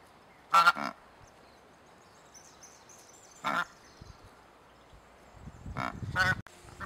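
A Cape Barren Goose gives harsh, resonant honking grunts in three short bursts a few seconds apart, the last a longer, rougher run.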